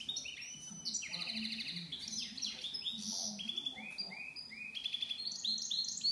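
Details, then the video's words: Goldfinch mule singing a fast, continuous, high-pitched stream of twittering notes, buzzy trills and short whistled phrases that change every second or so, with a faint low hum underneath throughout. "mullet chardonneret"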